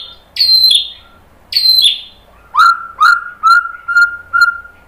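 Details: Song of a white-rumped shama, used to rouse fighter males: two loud sharp descending notes with a pause between, then five clear upward-sliding whistles at about one per half second.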